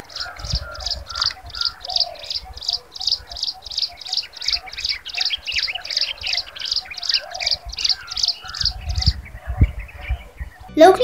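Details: A Jungle Prinia, from a Sri Lankan bird series, gives a long, even series of high, sharp notes, about two to three each second, over softer lower chirps from other birds.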